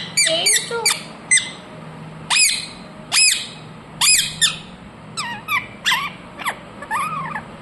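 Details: Shrill single squawks from a pet ringneck parrot spaced about a second apart, ending with softer, rippling chatter notes.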